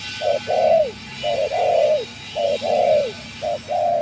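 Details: Decoy spotted dove used for bird trapping gives mellow two-part coos, each a brief clipped note followed by a drawn-out slurred one, in a steady rhythm over a constant hiss and low hum.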